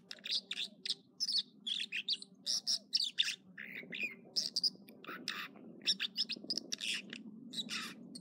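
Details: American dipper at Echo Lake in California's Trinity Alps, singing in the morning: a dense, continuous stream of high chirps, trills and buzzy phrases with short gaps, over a steady low-pitched background hum.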